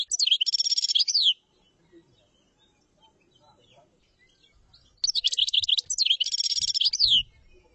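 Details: Common chaffinch song, called tablat, given as two fast phrases about 1.3 seconds long. Each runs as a bright, rattling trill of repeated notes and closes with a short descending flourish, separated by a quiet pause with faint low rumbling.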